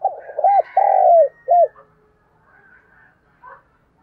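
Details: Decoy spotted dove calling to attract wild doves, a low cooing phrase of a few quick coos, a long falling drawn-out coo and a final short coo, with faint high chirps from other birds afterward.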